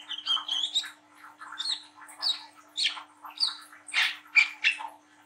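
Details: Speckled young brown-throated sunbird singing nglagu-style twitters, a training call for young birds. Thin, high whistles open the clip, then sharp chirps repeat about twice a second, growing harsher toward the end.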